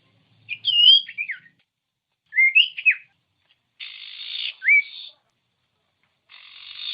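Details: Common iora song meant to prompt silent birds to sing: whistled slurred phrases alternating with harsh, buzzy rasping bursts and a sharp rising note.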